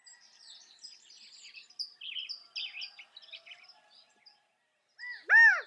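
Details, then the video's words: California quail giving one loud, arched, harmonic-rich call near the end, after several seconds of high twittering and chirping from other small birds. "California Quail | کیلیفورنیا بٹیر | Qauil Sounds"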